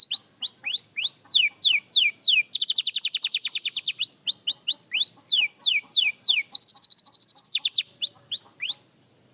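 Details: A young canary in singing practice delivers a long run of falling whistled sweeps, broken by two fast rattling trills and a high, dense tremolo near the close, in a quiet indoor setting.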